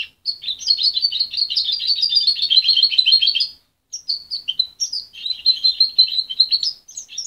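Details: Juvenile goldfinch mule, parent-reared and taken from its mother at 23 days, sings a long rapid twittering run of high chirps. After a brief silence come quicker, scattered notes and a thin rising whistle.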